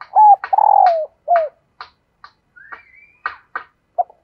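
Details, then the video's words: A female dove calling to draw in males opens with a steady coo, a long buzzy falling coo and a short dropping one, followed by scattered sharp clicks, a thin rising whistle and one more brief note. "Tiếng Chim Cu Mái Kích Trống"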